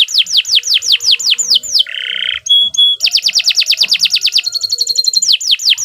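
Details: Long continuous canary song used as a training model: fast runs of high downward-sweeping whistles, a harsh buzzy rattle, then rapid trilled rolls and sharp repeated notes, loud and unbroken.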